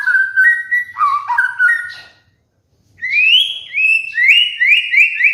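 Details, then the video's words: Caged White-rumped shama song used as a lure and master recording to train molting cage birds: slurred whistles near mid pitch, a brief pause, then rising whistled notes repeated in quick succession. "PANCINGAN MURAI BATU | MASTERAN BURUNG MABUNG"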